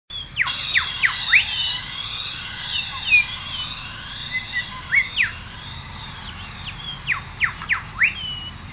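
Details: Australian bird chorus: many overlapping high whistled sweeps, rising and falling, crowded together with sharp downward whistles repeated every second or so over a soft rushing background.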